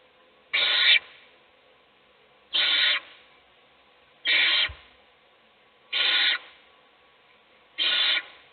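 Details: Owl nest box with an adult feeding one chick while others sleep; five evenly spaced, breathy rasping hisses, one roughly every 1.7 seconds, in a quiet box.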